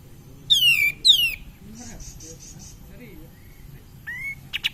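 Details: Cream-vented bulbul singing as a lure to excite other birds: a pair of strong, rich whistles dropping in pitch, followed by five soft evenly spaced pips, a quiet thin note and a brief rising whistle near the end.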